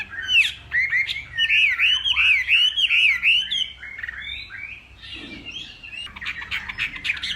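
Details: Morning contest song of a Northwest Vietnam hwamei: a run of strong, looping whistles repeated several times a second, followed by softer, scratchier chatter and a brief low rustle midway.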